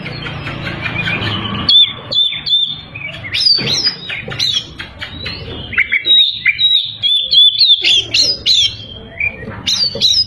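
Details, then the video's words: White-rumped shama song meant to provoke rivals: after a noisy start, bright whistled notes and steep chirps follow in quick bursts, some phrases repeated, over low background rumble. "Burung kacer gacor bikin musuh terpancing"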